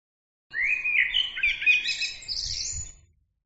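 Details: One lively bird phrase of about two and a half seconds, with whistled notes sliding upward into a dense, high, twittering trill. Faint low rumbles sit underneath.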